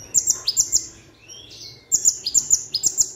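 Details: Plain-throated sunbird singing, a bird whose song includes imitation phrases such as cigun, cililin, rambatan, tengkek udang, platuk beras and srindit: two bursts of shrill, very high chirps with quick downward strokes, separated by a short pause.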